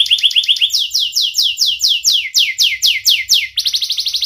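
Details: Young canary with a sharp voice singing to teach young canaries; quick paired chips, then a regular series of loud downward-slurred whistles about four per second, ending in a fast high trill.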